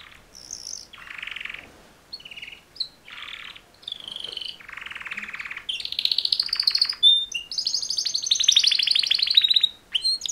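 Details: Mating song from two male canaries: harsh, noisy buzzing phrases with gaps, then louder rapid trills and high pulsing rolls toward the end.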